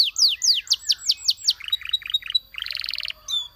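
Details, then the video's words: A Belgian canary sings a run of descending slurred whistles, then lower, quicker chirped notes, then a short, tight pulsed trill and one last sharp note. "The Sound Of The Belgian Canary Tempts Your Canary To Sing"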